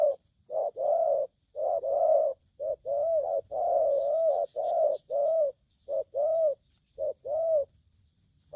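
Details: Aggressive young wild-caught spotted dove calling continuously: throaty mid-pitched coos, each brief note answered by a longer, slightly arched one, almost a coo per second. Faint regular high electronic beeping runs underneath.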